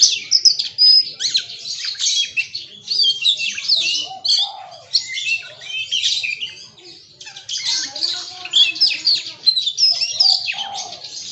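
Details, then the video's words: Kacer magpie-robin delivering varied bongkar isian song: long runs of rapid, high, tumbling chirps and whistles, a short quieter gap about two-thirds through, then renewed bursts. Other birds add faint background calls. "Suara Burung KACER bongkar ISIAN"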